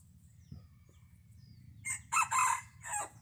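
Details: Wild chicken rooster kept as a decoy, crowing once: a harsh, broken crow of about one and a half seconds in three bursts, loudest in the middle and ending in a short clipped note, over a faint low rumble.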